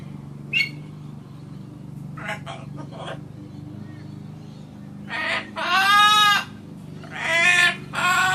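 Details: Pet macaw parrot laughing and talking, calling for its grandpa: a few short clipped notes, then two loud, drawn-out, harmonically rich squawking calls about a second each, with a low steady hum underneath.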